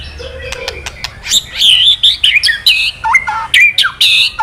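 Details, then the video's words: White-rumped shama song used to stir a male into singing: a low steady tone, then a quick series of high chattering and whistled phrases with clicks, some rising and falling sharply. "Suara KRETEKAN BURUNG MURAI BANGKITKAN EMOSI MURAI JANTAN KELUARKAN ISIAN!"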